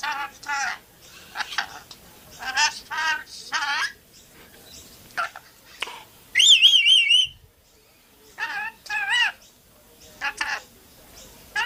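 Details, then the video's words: Speech-like chatter from a swearing pet rainbow lorikeet: rapid raspy syllables, a loud wavering whistle held for about a second in the middle, then more gravelly word-like bursts. "Talking Possessed Swearing Parrot"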